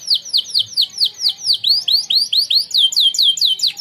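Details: Contest-winning canary giving its training song: steady, high whistled notes that swoop downward, repeated about every quarter second without a break, bright and ringing throughout.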